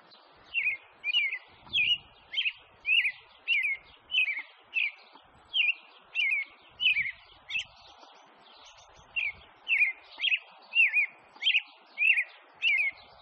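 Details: Thrush from the USA giving a long series of short, clear, slurred whistled notes, about one to two each second, fairly evenly spaced with a brief gap midway, over a quiet background.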